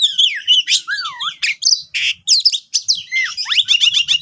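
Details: Lure song of an Oriental magpie-robin to prompt reluctant birds to sing: rich looping whistled slides, buzzy bursts and a run of fast rising upsweeps near the end, delivered in lively back-to-back phrases with faint low rustling.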